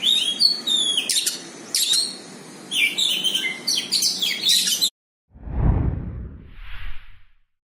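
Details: White-rumped shama facing a rival, pouring out varied high whistles and chattering phrases for about five seconds, then a pause and low rumbling thumps.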